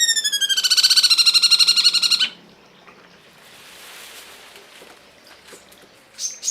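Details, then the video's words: Cungkok for masteran song training: a loud, buzzy, rapidly pulsed harmonic trill lasting about two seconds cuts off sharply. Quieter hissing background and faint high notes follow. "masteran burung cungkok"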